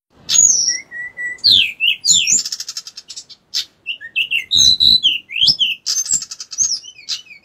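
A bar-winged prinia sings a lively, high-pitched run of sweeping whistles, sharp chirps and quick buzzy trills, delivered in short bursts with brief pauses.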